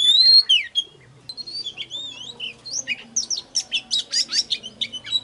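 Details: Oriental magpie-robin singing as a lure for wild birds. It opens with a clear sustained whistle, then gives a run of sliding whistled notes and ends in a quick series of rhythmic, chattering phrases.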